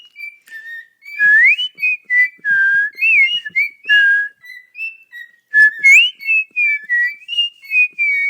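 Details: Pet cockatiel (Nymphicus hollandicus) whistling a song when prompted by its owner: clear, sweeping notes that rise and fall in quick, repeated phrases.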